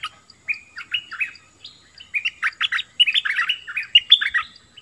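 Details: A bulbul gives a lively, jumbled song of short whistled and chirping notes. They rise and fall quickly in irregular bursts, grow denser toward the end, and carry over a quiet background.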